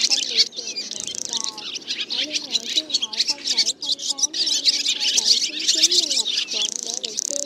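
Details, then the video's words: Black, white-bellied swallows giving a flock and roosting call used as a trapping lure: dense, continuous high twittering chatter, with lower wavering whistled notes woven underneath throughout. "Tiếng Én Gọi Bầy Và Gọi Ngủ"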